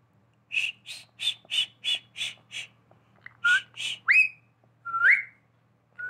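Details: Pet talking parrot whistling like a human: a run of seven short, clear whistled notes, then rising and falling slurred whistles with pauses between them. Quiet indoor setting with a faint low hum.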